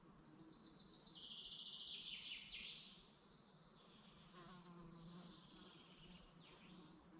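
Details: Forest birds in the Dublin mountains, Ireland, singing in the morning: a long, high, stuttering trill swoops down and back up, then a buzzy lower rattle and scattered faint chirps close the clip.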